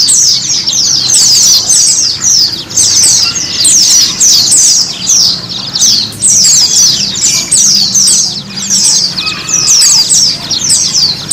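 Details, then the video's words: White-eye song played as therapy to make a kept bird sing; sustained rapid high twittering, strings of short downslurred chirps in near-continuous bursts, with a faint low background hum. "TERAPI PLECI mempercepat pleci ngiriwik, pleci ngalas,pleci buka paruh,dan pleci gacor."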